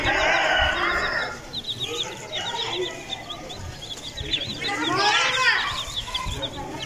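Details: A group of Aseel chicks cheeping in quick high downslurred notes throughout, with louder, broader fowl calls and some human voices mixed in.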